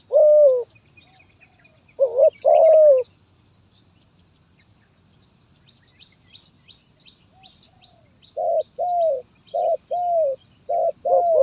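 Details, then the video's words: Zebra dove singing in a stuttering 'gagap tindan (sepatah)' style, recorded 23 January 2022: short bursts of rolling, mid-pitched coos, two clustered early, then a quick run of five repeated coo phrases near the end after a quiet gap, with faint insect chirps. "Burung Terkukur Gagap Tindan (Sepatah)"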